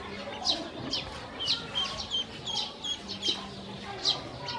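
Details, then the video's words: Hungry young domestic ducklings eating and drinking, with shrill piping peeps sliding downward, roughly two per second, a few softer chirps between them and a light low hum. "Hungry baby ducks"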